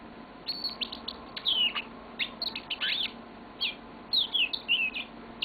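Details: Pet yellow-fronted canary singing a long, varied song of sweet chirps and slurred whistled notes, some sliding downward, in quick bursts with short pauses, faint room hum underneath.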